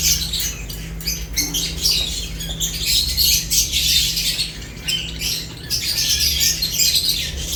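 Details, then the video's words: Lovebirds feeding: quick, shrill chirps repeated fast and irregularly in a crowded chorus, with a low hum underneath. "Lovebirds unique colors eating and chirps sounds"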